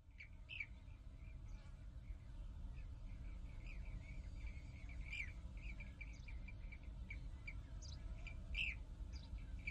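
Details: European bee-eaters at a breeding colony on loess slopes of a former mining area at Kahlenberg near Herbolzheim, Germany; many short rolling, liquid calls overlap continuously at mid-high pitch, over a steady low rumble of wind or distant traffic.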